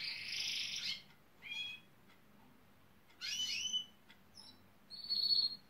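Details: Gloster canary trying to woo builders on a nearby site by mimicking machinery; a loud buzzy rasp, a brief trill, a descending rough phrase and a final sustained high whistle-buzz, separated by pauses.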